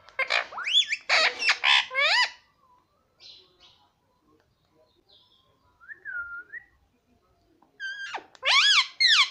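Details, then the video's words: Talking parrot gives a burst of rapid, loud, swooping syllables at the start. Quiet soft notes and a brief whistle follow, then another loud run of stacked, rising-falling calls at the end. "parrot talking papa || parrot talking mummy"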